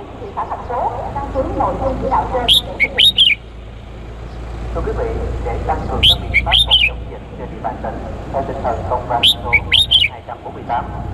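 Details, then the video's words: Red-whiskered bulbul male of Cambodian origin calling a female, used as a lure: three bursts of bright, clipped whistled notes several seconds apart, amid chattering voices and a steady vehicle-like rumble. "CHÀO MÀO TRỐNG GỌI MÁI TIẾNG CHIM CHÀO MÀO CAMPUCHIA MỒI GỌI BỔI"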